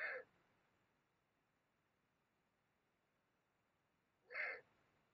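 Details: Eurasian eagle-owl calling during copulation along the Mosel in Germany, late January 2022: two short, harsh, broadband bursts about four seconds apart, with near silence between them.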